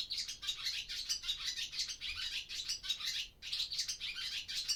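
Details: Barn swallows in an old barn by day at the start of the breeding season: a fast, high, scratchy chatter of quick notes running almost without pause, with one brief break near the end.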